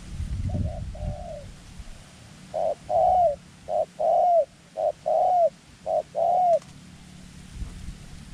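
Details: Dove kept as a decoy to draw wild doves into a tent trap; after a faint start, five crisp coo phrases follow steadily, each a quick note leading into a drawn-out arched coo, with light rustling early on.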